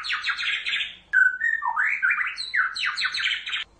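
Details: White-rumped shama singing gacor to make other shamas reply; buzzy rapid trills frame a long pure whistle and swooping rising slurs.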